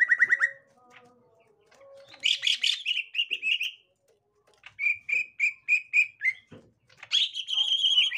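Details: Gotri-type green leafbird encountering a young green leafbird from the forest: a buzzy burst, then rapid repeated bright chirps in even strings, a silent gap, another fast chirp series and a harsh buzzy note to finish.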